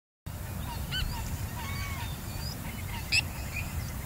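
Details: Black swans at Burswood Park, Perth, Western Australia, give soft, scattered bugling honks, with one sharper, louder note near the end, over a steady low rumble of wind or water.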